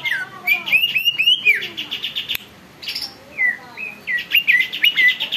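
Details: Greater green leafbird song, loud and continuous, said to stir other birds into singing and agitation: rising, looping whistled phrases, a brief lull, then more bright slurred whistles over a steady high chirping.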